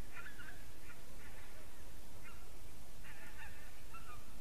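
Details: Geese recorded on 3 October 2015 at 20:23 in the evening, giving short nasal honks in loose bursts, some overlapping, against a steady low rumble of background noise.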